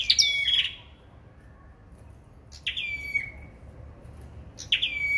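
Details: Sâu đầu đỏ singing in a contest, three separate phrases, each a sharp high note leading into a long falling whistle, with a long pause after the first.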